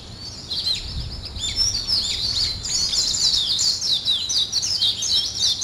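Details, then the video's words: Birds waking in the morning give a dense, high, chattering chorus of fast chirps and short whistles, building after a quiet opening second. "아침을 깨우는 새소리 2 ,Birds wake up in the morning 2"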